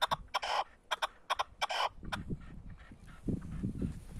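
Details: Male partridge used as a decoy bird, singing while perched on top of a motorcycle: harsh, broadband grating notes in quick paired bursts over the first two seconds, then lower rumbling noise.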